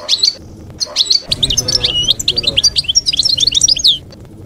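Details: Continuous European goldfinch canto campero for educating young birds during molt: an unbroken stream of rapid, tinkling, chattering notes and twitters that stops abruptly, with a faint low hum underneath.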